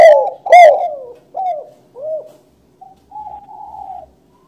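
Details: Spotted dove (tekukur, balam) cooing: two loud, rough opening coos, then softer downward-bending coos and a final level, drawn-out note, all low and mellow, in otherwise quiet surroundings.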